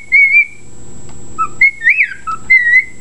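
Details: Pet bird singing reveille: clear held whistles broken by a quick rising-and-falling sweep and a lower note, over a faint background hum.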